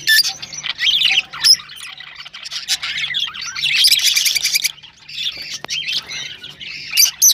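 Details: Rosella chatter used to stimulate breeding: high squeaky twitters and rapid trilled notes, a fast buzzy run midway, a brief pause, then renewed chirping.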